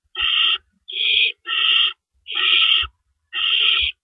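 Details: Owls at a nest at 4:31 AM on April 4, 2012, as adults bring in and carry off rabbits. Five harsh, hissing screeches, each about half a second long, come in rapid succession with short silent gaps and faint low thumps between them.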